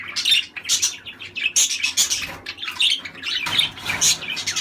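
Budgerigars chatter in busy, high warbles with sharp chirps and squawks, used to encourage breeding.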